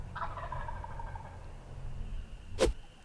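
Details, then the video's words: A gobbling wild turkey before dawn on opening day of Tennessee turkey season. One rolling gobble at the start, then a sharp loud crack near the end. "GOBBLING IN THE DARK!"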